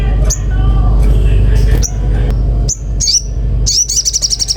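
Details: Common iora singing actively, with sharp high whistled notes at irregular intervals that close in a fast rapid trill, over a loud steady low hum and some background voices.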